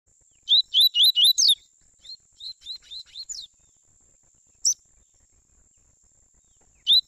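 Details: Double-collared seedeaters, father and son, in a warm-up recording: a fast burst of five sharp, high chirps, then softer twittering and a few isolated chips, over a steady high hiss.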